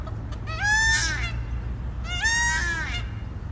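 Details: Peacock perched on a chalet roof in Scotland gives two loud, wailing, rising cries about one and a half seconds apart, each a rich nasal scream, over a steady low hum in the background.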